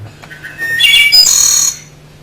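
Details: Wood thrush (Hylocichla mustelina) sings one song phrase at normal speed: a few soft, pure fluty whistled notes, then a rich, ringing, percussive high trill that fades after about a second, over a faint room hum.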